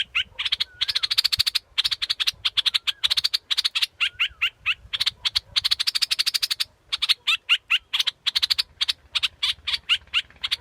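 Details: Scarlet-backed flowerpecker giving a rapid, steady run of sharp, high clicking ticks, packed densely across ten seconds with brief pauses, mixed with thin chirped notes; a low hum sits faintly beneath.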